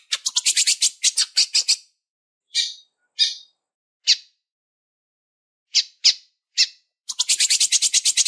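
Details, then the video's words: Female lined seedeater calling to stimulate males: a fast buzzy run of high chips opens, then single sharp high notes spaced a second or so apart, and another dense rapid trill closes. "Fêmea Piando e pedindo Gala"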